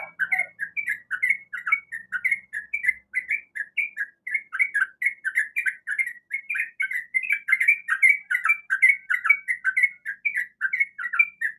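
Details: Sooty-headed bulbul female calling the male, a continuous run of quick bubbly whistled notes, about two or three per second, steady and clean with almost no background noise.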